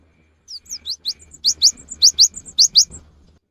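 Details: Cinereous tit singing hard, a lure for the rainy season: a ringing series of high rising whistles grouped in pairs, with thin short notes slipped between, lasting about two and a half seconds.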